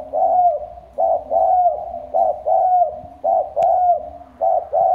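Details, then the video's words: Loud decoy spotted dove with a deep 'thổ sấm' voice, Trà Vinh, Vietnam, cooing in steady repeated phrases about once a second, each a strong falling coo. A quieter, lower cooing runs underneath. "Cu gáy mồi giọng thổ sấm, lớn tiếng"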